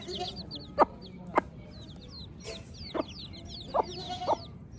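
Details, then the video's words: Chorus of baby chicks giving rapid, high, falling peeps. Six brief, punchy lower clucks are spaced unevenly through the stretch. "Baby Chick Chirping Sounds"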